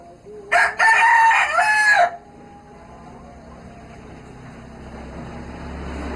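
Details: Free-range village chicken of rural Java, Indonesia, roaming wild in a yard: a single loud rooster crow of about one and a half seconds, rough and drawn out, followed by quiet background hiss.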